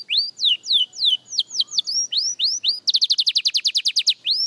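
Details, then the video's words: Beginner canary, a young bird at singing practice, delivers high falling whistled sweeps, then switches to a fast, even trill of rapid repeated notes before one final rising whistle. "Young Canary Singing Practice"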